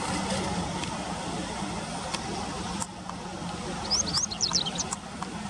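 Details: Japanese wagtail near a river in late August 2020; after a stretch of traffic noise, a short burst of about six high, squeaky chirps arrives near the end.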